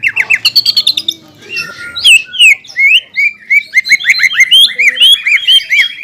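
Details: Greater green leafbird kept in a cage, a contest-grade fighter, pouring out varied song: a quick chirping burst, then looping whistled slurs and rising-falling sweeps, harsh shots mixed with rich imitated phrases, delivered loud and close.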